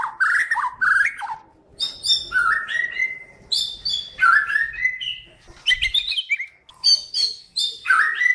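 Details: A white-rumped shama from Kalimantan sings a master song for tutoring songbirds: separate clear whistled phrases, some slurred downward, others high and ringing, delivered with short gaps between each phrase.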